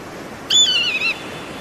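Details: Eagle giving one brief, high whistled call that falls in pitch with a small wavering tail, over light background hiss.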